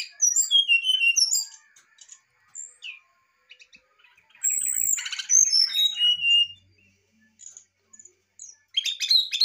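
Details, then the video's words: Brown-chested jungle flycatcher pouring out excited song to provoke a response: bright whistled phrases rising and falling, broken by scratchy notes and gaps, with a fresh burst of high buzzy trills at the end. "MUSTAHIL KALO SRDC ANDA TIDAK RESPON🔥sikatan rimba dada coklat muntah emosi"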